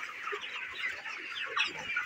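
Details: A farm flock of 29-day-old broiler chickens giving a steady, crowded babble of high peeping and chirping calls, many voices overlapping without pause.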